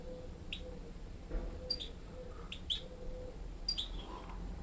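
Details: Young European goldfinch hybrids listening to a better-singing goldfinch tutor; a few sharp, high, clipped chirps spaced about one second apart, with a soft steady hum underneath.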